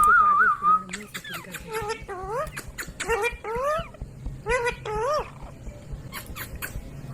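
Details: Caged ringneck parrot mimicking speech: wavering whistled tones, then a series of rising, swooping speech-like syllables with sharp clicks between them, indoors with faint background noise.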